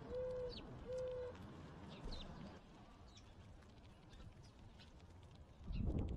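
A mourning dove gives two soft, low, steady hooting coos about a second apart, with faint high chirps from other birds and a low rumble.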